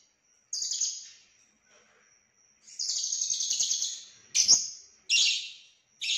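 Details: Lovebird from Cililin delivering konslet song with full isian: separate bursts of fast, shrill chattering, the longest running about one and a half seconds, split by near-silent gaps and a thin constant high tone.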